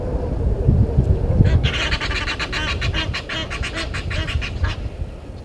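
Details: Egyptian geese disputing with intruder geese at Gowrie dam, Djuma Game Reserve, Sabi Sand, South Africa, 10/04/21 at 17:08. After low rumbling, a fast burst of raucous, rhythmic honks runs for about three seconds.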